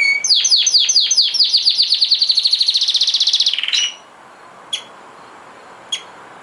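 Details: A tame canary, held in the hand, sings a rapid rolling trill of bright, high notes for about four seconds, then gives two short sharp chirps.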